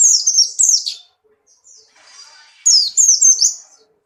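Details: White-eye of the Buxtoni type, caged and in strong breeding condition, hopping energetically. Two bursts of high sharp descending whistles and fast warbled notes, split by a quieter rustling pause.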